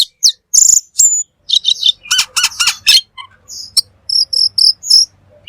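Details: Cucak keling, the black magpie, in full 'gacor' song meant as a master recording: loud buzzy bursts, then rapid ringing notes and a neat series of high repeated whistles near the end.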